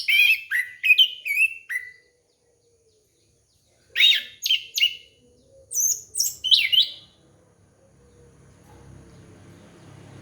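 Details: Lure recording of an orange-headed thrush aimed at young birds: quick sequences of varied whistled and chattering notes in two rapid bursts, then quieter rustling background noise toward the end.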